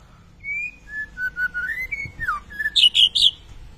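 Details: White-rumped shama, a lively singer, giving a run of clear whistled notes that slide and waver, then ending in a quick burst of bright, high chattering phrases.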